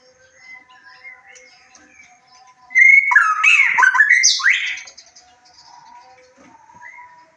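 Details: Song of a white-rumped shama played as a lure for arousal and answering: soft, scattered notes around a single loud phrase of swooping whistles with a sharp upward high sweep, lasting about two seconds.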